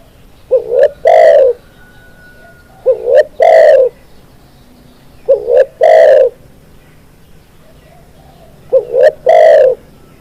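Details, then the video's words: Training-track song of a spotted dove. Four evenly spaced phrases, each a short rising-and-falling double note followed by a longer, full, throaty coo, repeat every two to three seconds with a faint thin tone in the background. "SUARA BURUNG TEKUKUR"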